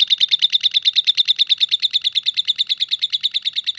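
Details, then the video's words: Continuous ngekek trilling from a lovebird: a steady, rapid stream of high chattering notes, around eight per second, very even in rhythm and loudness from start to finish. "SUARA BURUNG LOVE BIRD KONSLET FULLL NGEKEKK"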